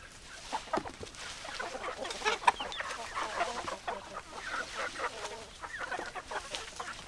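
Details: Chickens, hens and roosters together: dense overlapping clucks and short squawks from many birds fill the whole stretch, with sharp clicks scattered throughout and no clear pause.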